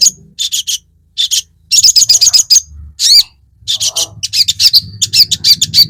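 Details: Crested jay (sogon) fighter call used as a provoking lure for other sogon. Clusters of high, harsh chattering notes, some faster rattles and a longer buzzy note, over a faint low background hum.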